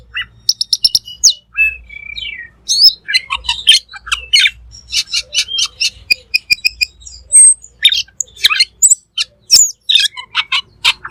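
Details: A black magpie known locally as cucak keling gives a long, busy song for training other cage birds: rapid chattering, clicks and high whistled slurs in dense bursts, after a few softer opening whistles.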